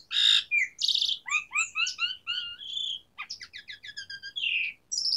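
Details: Asian pied starling song with varied 'isian' fill: a loud buzzy burst, then a quick series of rising whistled and chattering notes, a rattling run, and a slurred whistle, all delivered rapidly.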